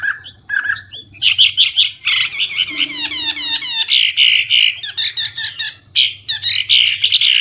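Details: Hwamei singing loudly with varied phrases: buzzy bursts, a quick cascade of descending slurred notes and dense rough warbling, with short breaks between phrases; low hum beneath.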